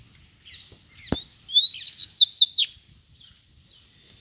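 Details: Caged male double-collared seedeater calling a wild rival to a fight, recorded about a metre from the cage: a bright burst of quick upslurred whistles and buzzy trills lasting over a second, with a sharp click just before it.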